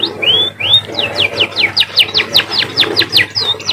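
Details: Munia (emprit) song said to sound like a canary. Two long arching whistles open a fast series of short, bright, downward-sliding notes, about two or three each second, over a faint low hum.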